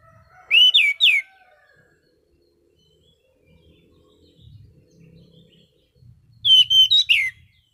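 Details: Orange-sided thrush, calm ngeplong song in prime form: a short burst of three swooping whistles, a long quiet gap with faint low rumble, then a second burst of four slurred whistles.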